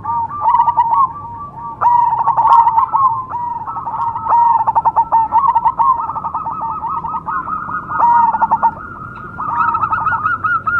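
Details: Zebra dove of the cemani type cooing: a steady run of rapid, stuttering mid-pitched coos with short bursts of clipped notes, continuing in rhythmic phrases without pause, with a faint background hum.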